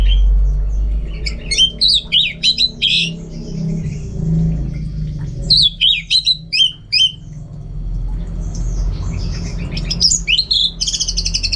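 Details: Orange-headed thrush (anis merah) kept as a contest songbird, singing energetically at home: bursts of varied chattering, squeaky and whistled notes in phrases of about two seconds, separated by short pauses, over a low hum.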